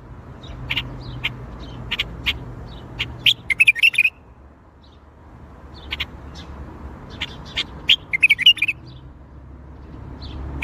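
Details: Bulbul in Baghdadi-style song (tor Baghdadi): scattered single chirps building into two fuller warbled phrases near four and eight seconds, over a soft low background hum.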